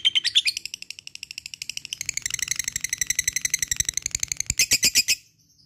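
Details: Lovebird ngekek: a shrill, rapid, rattling trill that speeds up and grows denser midway, then ends in a few louder harsh notes before falling silent.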